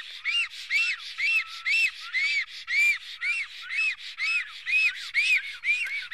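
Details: At an Estonian nest in mid-April 2018, late morning, a black stork calls in defence: rhythmic, rasping whistles that rise and fall in arcs, repeated roughly twice a second, loud and close.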